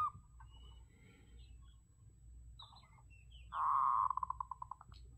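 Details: Zebra dove recorded as a decoy bird for luring: after faint high chirps from other birds, one loud low coo swells, then breaks into a fast rattle of short cooing pulses that slow and fade over about a second.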